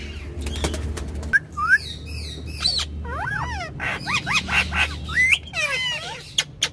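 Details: Ringneck parrots on a car back seat: mixed squawks, short whistles and wavering notes over a steady low engine rumble, with sharp clicks near the start and end.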